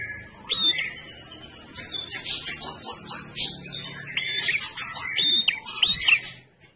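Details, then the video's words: A red-headed prinia in lively lure song, with dense buzzy chattering mixed with looping whistled notes, loud and nearly continuous before fading at the end. "Prenjak ndas abang alias prenjak kepala merah gacor, pancingan tembakan prenjak kepala merah"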